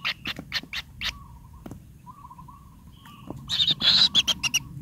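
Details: Kingfisher chicks in the nest, still growing pin feathers and needing lots of food. Scattered short rasping bursts come first, then a quiet pause with a soft trill, then a fresh run of loud harsh begging rasps.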